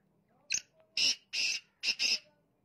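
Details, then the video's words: Black francolin, locally teetar, giving its harsh call: a brief sharp opening note followed by two drawn-out scratchy notes and a tight double ending, loud and clear against a quiet background. "Teetar ki Awaz Black Francolin Voice"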